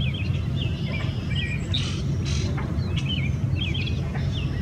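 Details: Newly arrived tree swallow at Ashbridges on April 12, 2022, checking out a marina and nearby nest boxes, sings liquid, gurgling twitters in quick clusters, some notes rising and falling, over a steady low rumble.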